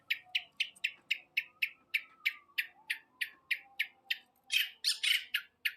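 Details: Long-tailed shrike delivering a rapid series of sharp, downslurred chattering notes, about three per second, ending in louder, broad grating bursts; a faint whistle-like tone is heard in the background.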